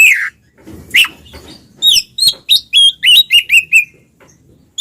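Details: Ngeplong song from a pair of Oriental magpie-robins, meant to set mute birds singing: a few scattered chips and a rasp, then a quick string of eight bright whistled notes falling slightly at each end.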